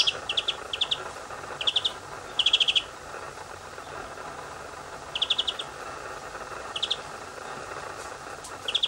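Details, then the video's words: A white wagtail gives short bursts of three to five quick, high twittering notes at irregular intervals, over a steady background hiss. "Vogel Aufnahme : Bachstelze / white wagtail"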